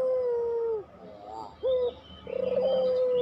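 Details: Barbary dove, pelung style, used as a lure recording: a long, level, droning coo that dips at the end, then a brief rising note and another long, slightly trilled coo.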